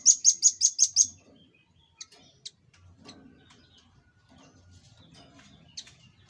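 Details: Velvet-fronted nuthatch used as a training master for cage birds, opening with six rapid, piercing high chips in a tight 'tembakan' burst, followed by a few sparse, isolated sharp chips over near-silence.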